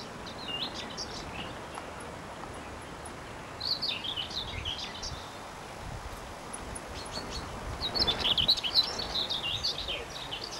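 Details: White wagtail calling: bursts of high, thin chirps and twitters, loose and irregular, in clusters near the start, middle and end, over a soft steady background hiss.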